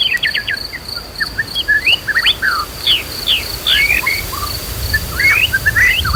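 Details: Agitated white-rumped shama singing, used as a lure to stir other shamas to fight and sing loudly. It gives rapid, varied whistled notes, sweeping up and down, in quick bursts over a steady high insect drone.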